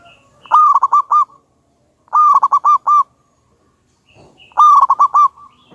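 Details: Very vocal local wild zebra dove with a loud voice, used to lure others into song: three evenly spaced phrases, each a quick run of about five bubbling, stuttered coo notes, in an otherwise quiet setting.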